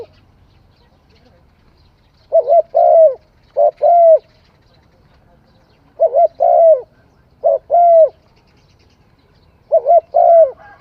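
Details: Spotted dove singing: soft, mellow cooing phrases of two or three quick notes followed by a longer drawn coo. The phrases are repeated in bursts roughly every three to four seconds over a quiet background.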